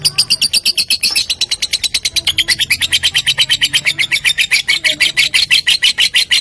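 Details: Lovebird lure sound meant to set other lovebirds singing: an unbroken stream of harsh, high-pitched chirps hammered out about six per second for the whole stretch, with a faint low hum underneath.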